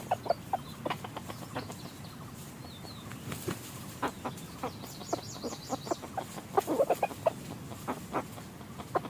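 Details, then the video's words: Red junglefowl calls during decoy hunting in forest; many short clucks spread through the recording, thickening into a rapid burst near the end, with faint high twittering from other birds. "ต่อไก่ป่า yos hav zoov dib qaib qus tuaj zoo heev"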